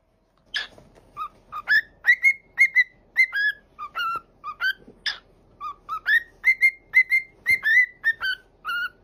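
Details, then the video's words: Pet parrot runs through a lively whistled tune of short, quick stepped notes, nearly two per second, with occasional sharp clicks. "Smart And Funny Parrots Parrot Talking"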